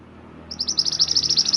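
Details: Master song of a Mantenan gunung bird for training songbirds: a sudden series of quick, bright, high chirped notes, repeated rapidly and steadily after a quiet start.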